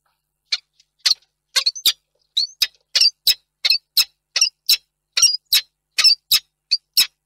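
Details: A male peregrine falcon on 2 March 2022 gives harsh, high, grating wails about twice a second in a steady series, longing calls for a female that has not arrived.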